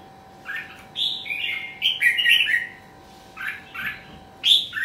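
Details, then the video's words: Red-whiskered bulbul in a singing contest delivers rapid, fluty whistled phrases in short bursts, rich warbles and slurred notes repeated with brief pauses, over a faint steady low hum. "Chào mào thi giải"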